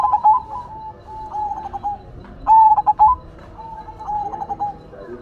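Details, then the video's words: Silver-variety zebra dove singing actively: a clear, slightly wavering coo near one pitch opening each phrase, then quick staccato bursts of clipped notes, two phrases heard, with soft low background rumble. "Perkutut Silver Gacor Suara Asyik Unik dan Antik"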